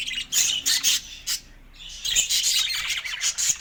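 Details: Budgerigars while feeding give bright, clipped chirps and squawky bursts in short clusters, a brief near-silent gap in the middle before chatter resumes.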